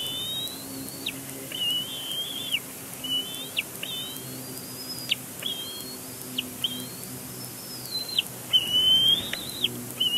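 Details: Young bald eagle continuing to complain at its father at a nest on Big Bear Lake, April 2022. A rapid run of high whistled squeals, some long and level, others short and broken, tumbling over one another for ten seconds; faint low hum beneath.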